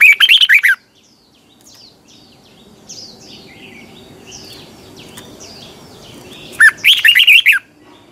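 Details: Red-whiskered bulbul morning training song in the twisting double-voice style: a rapid warbled phrase of bright rolling whistles, a gap filled with soft distant chirps, then a second similar phrase about six seconds later.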